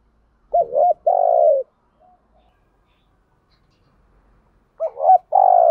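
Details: Spotted dove decoy bird cooing to entice wild doves. Two low phrases, each a wobbling two-part note leading into a sustained humming coo, separated by several seconds of near silence.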